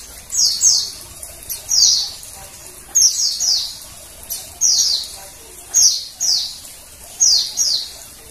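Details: Female Oriental white-eye (Zosterops palpebrosus) giving thin, high chirps in quick pairs, repeated roughly every one to two seconds; a call used to stimulate males to sing.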